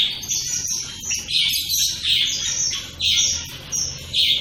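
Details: Shaft-tailed finches calling rapidly: bright, ringing chirps and nasal notes following each other several times a second, with a constant background of softer twittering.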